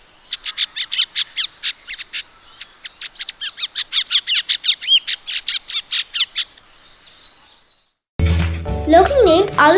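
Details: An ashy drongo (Dicrurus leucophaeus) in Sri Lanka gives a fast run of sharp, metallic chips and whistled notes, about two or three a second, before music cuts in.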